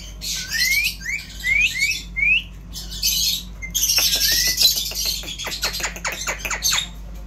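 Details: Indian ringneck parrot, said to talk amazingly, giving four rising whistled chirps, then a loud noisy burst of screeching chatter followed by a fast run of sharp clicks fading out.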